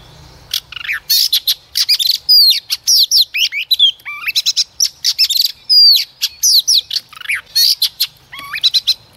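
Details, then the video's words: Female decoy Oriental magpie-robin singing to stimulate males to sing, delivering a long, varied run of sharp chirps, rising and falling slurred whistles and buzzy notes in quick bursts with brief gaps. "Chòe Than Mái mồi hót cực hay kích trống mở mỏ"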